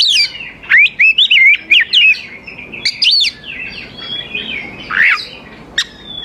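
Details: Oriental magpie-robin song played to lure young wild birds into singing back: a loud run of varied whistled and slurred notes around mid-high pitch, with quick rising and falling sweeps in bursts.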